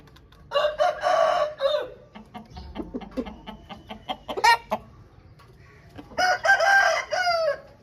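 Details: Two loud, harsh crows from home-bred Aseel birds, one near the start and one near the end, with a busy stretch of short clucks and chatter between them.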